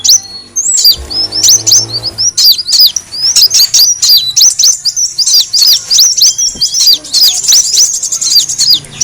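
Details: Brown-throated sunbird lure recording, played to attract birds: rapid, dense high-pitched chirps and squeaky upslurred notes overlapping almost continuously, with a brief low thump near the start.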